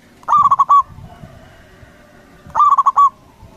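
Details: Loud local zebra dove calling to draw replies from rival doves: two trilled phrases of rapid, pulsing coo notes a little over two seconds apart, with faint low rumble.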